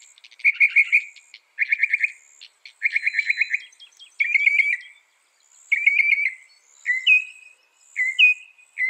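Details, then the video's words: Northern mockingbird (Mimus polyglottos), a mimic of birds, insects and amphibians, singing bursts of fast trilled notes repeated three times, then shifting to different slurred warbling phrases, each type repeated before changing. "Masteran Burung Kicau Mockingbird Gacor - Mockingbird Bird Sound"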